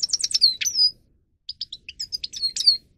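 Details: Grey-crowned goldfinch singing, used as training song: a rapid cluster of tinkling notes ending in a drawn-out downslurred whistle, a brief silence, then scattered chips building into more twitters and a final slurred whistle.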